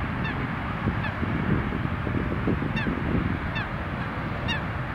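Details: A little ringed plover at Munnikenpolder, the Netherlands, on 27 March 2019 gives five thin, high, down-slurred 'pee-oo' notes about a second apart over a heavy low rumble of wind.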